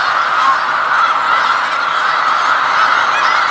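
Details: Huge gathering of snow geese recorded January 15, 2018 in Skagit County, Washington, their many high, barking honks blending into an unbroken clamor, individual yelps occasionally standing out above the roar.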